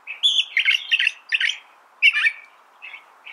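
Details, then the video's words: Brief burst of California thrasher song: a clear sustained note, then a cluster of rough, rapid syllables, a short gap, and another scratchy phrase ending in a softer note. "California Thrasher Bird Sound"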